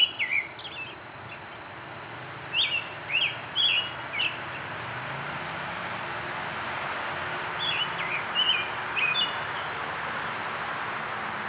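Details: An American robin sings clear, caroling phrases of rising and falling whistles in bursts with pauses, early morning in spring, 12 April 2010, Rosetta McClain Gardens, Toronto, Ontario, Canada, over a steady hiss of distant noise.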